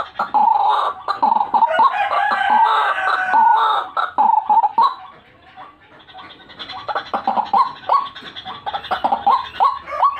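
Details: White-breasted waterhen calling, used to lure birds: a long stretch of rapid, raucous, overlapping croaks, softening midway, then picking up again as a run of short, rising notes.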